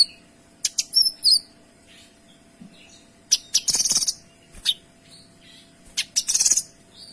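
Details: Kinoy singing steadily in a clear, dense style meant for tutoring other songbirds: bright high whistles alternating with harsh, crackling, buzzy bursts repeated several times across the stretch.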